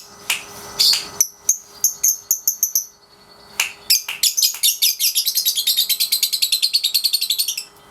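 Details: Caged 3.5-month-old lovebird in daily ngekek training: a string of evenly spaced high chirps, a pause, then a sustained rapid shrill trill of fast pulses running about four seconds.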